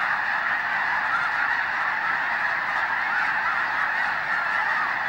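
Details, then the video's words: Hayton Snow Goose Reserve, Skagit Wildlife Area near Conway, Washington: snow geese fill the air with a constant babble of high nasal honks, steady in loudness from start to end. "Snow Geese"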